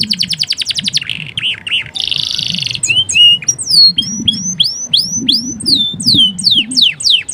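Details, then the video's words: Male canary training song: a fast ticking trill, a pulsed buzzy rattle, then a string of clean downslurred and upslurred whistles that speeds into tight repeated notes. Soft water-like murmuring in the background. "Suara kenari jantan gacor"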